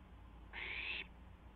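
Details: Barn owl owlet on a live nest camera, recorded just after midnight on April 12, 2016, while testing its wings; one harsh, breathy hiss lasting about half a second over a quiet low hum.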